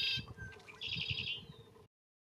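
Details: A Red-winged Blackbird, a common backyard bird of the Midwestern United States, gives its loud, well-known call: a few sharp high notes, then a buzzy trill lasting about three-quarters of a second, over a low background rumble.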